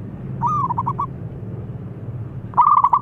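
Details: Local zebra dove in active song, used as a lure to prompt silent birds, giving two bursts of soft, rapid stuttering coos, each about half a second long, over a low steady hum.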